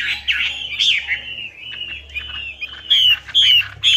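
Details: Chinese hwamei song used as a lure: smooth, drawn-out whistles that waver and slide, closing with three loud, clean downslurred notes, over a low constant hum.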